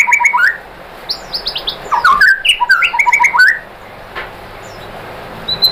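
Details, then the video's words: Provoking song of a white-rumped shama, meant to get other shamas singing: quick rich whistled phrases with rising and falling slurs, a fast tumbling middle section, then quiet with a faint high note. "bikin MURAI BATU jadi NYAUT GACOR BONGKAR MATERI ¦ PANCINGAN MURAI ¦ SHAMA BIRD"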